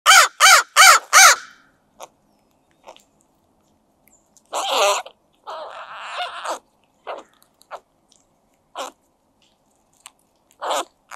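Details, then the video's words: Crows eating egg yolk make unusual sounds the observer takes for happy calls: four quick harsh caws, then longer grating, gurgling calls with scattered short clicks and soft notes. "Crow Makes Happy Sounds When It Eats New Food!"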